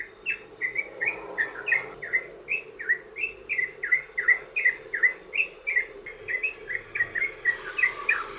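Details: Rapid 'ropel panjang' singing by a sooty-headed bulbul, used as a lure for other bulbuls: a long unbroken string of bubbly, downslurred chirps, about three per second, over a steady low murmur.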